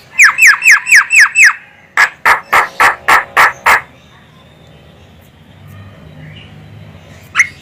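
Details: Javan myna female, a call suitable for luring birds: six quick, sharp, downward-sweeping notes, then six harsher, broad rasping notes in steady rhythm, followed by quiet and one last short note.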